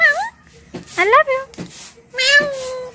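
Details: Talking pet parrot indoors utters three short, high, nasal word-like sounds, each swooping up then levelling off, spaced about a second apart, with faint breathy noise between.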